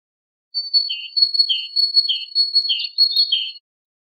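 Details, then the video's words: Great tit song: a quick run of bright two-part notes, a thin high note then a lower burry one, repeated about every half second over a steady high tone. "تغريد طائر الحداد"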